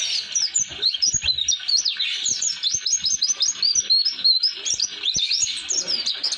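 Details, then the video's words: High, sweet twittering pours out without pause from an Oriental white-eye, its 'roll durasi' long-rolling song meant for training young birds still raw from flocks; the notes rise and dip quickly in a continuous chatter. "Kicauan Pleci Atau Si Burung Kaca Mata Roll durasi Cocok Untuk Pemasteran"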